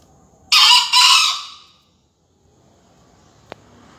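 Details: A young green junglefowl, a finalist in a junglefowl crowing contest in Surabaya, gives one harsh, hoarse two-part crow of about a second at 5 a.m. on 28 February 2020, followed by quiet and a faint click.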